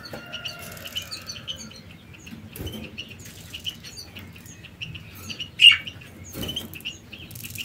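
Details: Canaries at work building and finishing a nest before egg laying, giving short high chirps repeated steadily throughout, with one louder note near the end and soft fluttering, pattering thumps in between.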